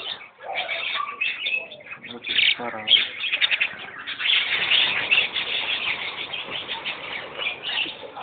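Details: A white parakeet chatters in a steady run of quick, scratchy, high chirps and warbles, with a few lower voice-like notes mixed in.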